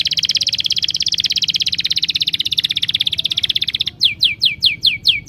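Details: A long, high, rapidly pulsed trill runs for nearly four seconds, then breaks into five crisp, falling chirps repeated at a quick, steady beat.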